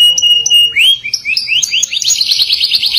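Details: Singing canary, 'gacor ngerol nembak' style: a steady thin whistle, then upward-swooping notes that speed into a rapid, buzzy high trill, with a faint low hum in the background.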